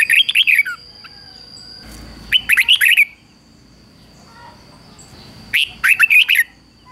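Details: Three loud phrases from a captive decoy red-whiskered bulbul singing to draw wild rivals in to fight, each a fast run of five or six chirpy, wavering notes, separated by quiet gaps of two or more seconds.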